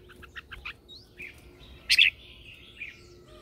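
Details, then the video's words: Red-whiskered bulbul lure bird in morning training, calling others with a quick run of rapid chips followed by a loud rich warbled burst and softer slurred whistles, steady hum behind. "Luyện giọng cho chào mào hót sáng căng lửa kích chim mộc hót siêu hay, Chào mào mồi hót gọi bổi"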